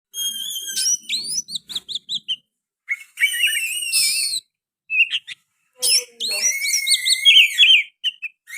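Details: Oriental magpie-robin singing actively with sooty-headed bulbul phrases mixed into its song: bursts of high whistled and chattering notes, slurred rising and falling whistles, separated by short silent pauses.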